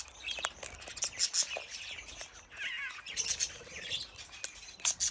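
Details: Major Mitchell's (pink) cockatoos in an aviary: harsh, grating screeches and raspy squawks in quick irregular bursts, with softer chattering notes and sharp clicks between them.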